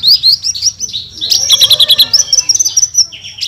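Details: Javan bushlark (branjangan) singing in the energetic gacor style full of tembakan bursts, given as a tutor recording for songbirds: high thin whistles that run into a fast series of sharp chirps, then a long sustained high note. A faint low hum runs underneath.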